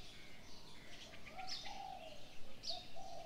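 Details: Birds calling in the morning: soft low cooing phrases around mid-clip, with faint high chirps and short bright notes above, over a quiet outdoor background.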